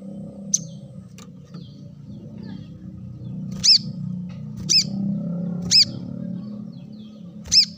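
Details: Brown-throated sunbird calling for a bird lure: loud sharp slurred notes with a lower echoing overtone, spaced about a second apart, over a steady low hum of background noise.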